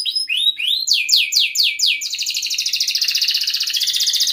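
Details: Canary song meant to coax other canaries into singing, opening with rising and falling slurred whistles, then a run of downward sweeps and a long, fast, even rattling trill.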